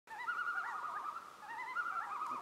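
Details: Juvenile common loons practicing their calls and take-offs, Algonquin Park, 2018: wavering, yodel-like notes, rising and falling in pitch and overlapping, over a faint soft background hiss.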